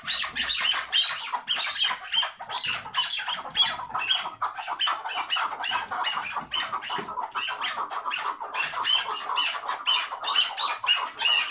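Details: Hıngırma call of a tethered chukar partridge: persistent harsh squawking chatter with squeaky high accents, fast and continuous over the whole stretch.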